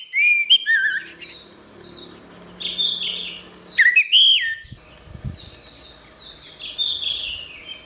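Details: Vigorous gacor singing by an orange-headed thrush, recorded for training songbirds. Two phrases of twisting, descending whistles stand out from a steady chorus of high, buzzy chirps, with a few low thumps midway.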